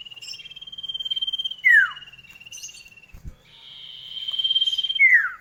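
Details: Common iora, kept-bird duet lure: long steady pulsed trills on one high pitch, each broken by a sharp falling whistle, with a brief soft knock between trills.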